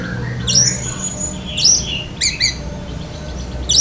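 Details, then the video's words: Oriental magpie-robin of the black-breasted kind (kacer dahit) giving lovebird-copied calls: piercing high squeals and a downslurred whistle, followed by paired sharp chips at intervals of roughly half a second to a second. "Kacer DAHIT besetan kapas tembak sambung lovebird"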